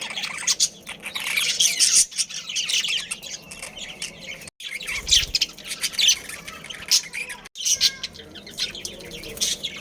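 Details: Captive budgerigar breeding colony, a family of Australian parrots, chattering in dense overlapping chirps and harsh squawks, high-pitched and continuous with brief pauses near four and seven seconds.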